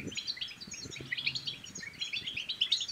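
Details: European goldfinch singing, from Morocco, played to encourage others to sing and mate; a steady stream of bright, tinkling twitters and short trills fills the clip, with soft low rumbles beneath.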